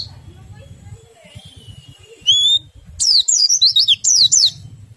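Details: Oriental white-eye in the riwik and nembak styles, played to encourage other white-eyes to sing: a faint long whistle and a single bright upslurred note, then a lively run of high zigzag twittering.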